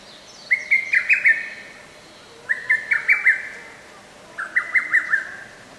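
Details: Lesser cuckoo singing in a forest park on 15 May 2024, three loud staccato phrases of five or six sharp notes, each phrase repeated about every two seconds over faint background hiss.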